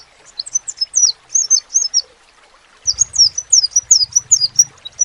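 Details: Crimson sunbird gives a softer opening run of high thin notes, falls silent for about a second, then resumes louder with sharp downslurred notes over a low hum.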